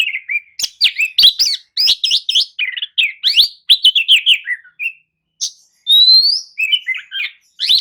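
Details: Rapid, varied whistled song of an Oriental magpie-robin used as a lure to make listless birds reply and sing. Dense chirps, slurred notes and short trills pour out almost continuously, ending in a long rising whistle and quick warbles.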